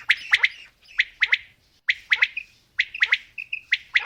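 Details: Female and male quail calling: sharp, clipped three-note phrases with the notes tightly bunched, repeated about once a second, with short buzzy notes in the gaps.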